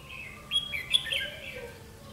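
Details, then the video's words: Red-whiskered bulbul of the 'mí lửa' type during a trapping session on 31 October 2016: a bright, warbled phrase of whistled notes that rise and fall, lasting about a second over faint background hiss. "Bẫy chào mào mí lửa"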